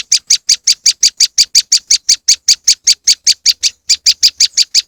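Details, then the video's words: Moss wren lure sound with crisp, evenly spaced high chips in a quick unbroken series, about five per second, with a slight hitch near the end. "moss wren bird lure sound"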